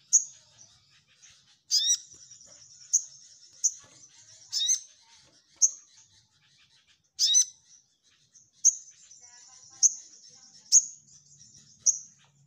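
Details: Orange-headed thrush repeating loud, sharp, very high notes with short fluttering tails, about ten times, sometimes doubled, at irregular intervals of one to two seconds.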